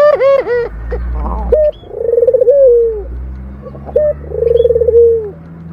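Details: Purring call of a local puter dove, a fast throbbing low trill that settles into a drawn-out descending coo. Two full phrases follow a brief burst of other clipped, repeated notes at the start.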